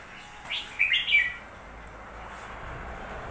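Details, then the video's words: Newly bought red-whiskered bulbul giving one short, bright warbled phrase of quick chirpy notes, over steady low background hiss. "ฟังเสียงนกกรงหัวจุก พึ่งซื้อมาใหม่"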